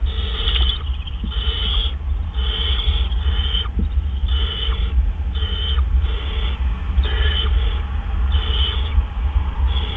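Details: Owl bringing food at 4:03 AM on April 12, 2013: a steady run of harsh, breathy hissing rasps, each about half a second, repeated roughly every second over a constant low electrical hum.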